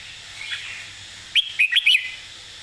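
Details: A single brisk phrase from a red-whiskered bulbul, a master song with crisp phrasing: four sharp, lively whistled notes in quick succession after a soft lead-in.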